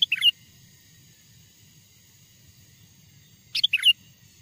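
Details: Sooty-headed bulbul lure song recorded from a wild bird: a bubbly whistled phrase at the start, quiet for about three seconds, then a second matching phrase of quick rolling notes.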